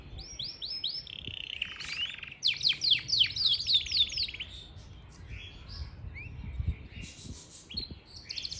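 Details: Yorkshire canary, Parachinar, singing a run of repeated high notes, then a loud, fast rattling trill, followed by softer scattered chirps and short whistles.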